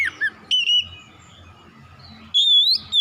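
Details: Loud, powerful song of a white-rumped shama: sharp whistled phrases, one falling and others steady or gently rising, split by short silences.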